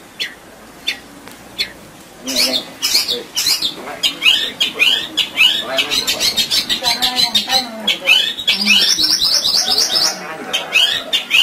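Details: Long-tailed shrike, a gacor bird singing a full isian style song used as a master recording to stir lazy caged birds: rapid, varied, chattering whistled and scratchy phrases, high-pitched, with quick rising and falling notes pouring almost continuously after a quiet start.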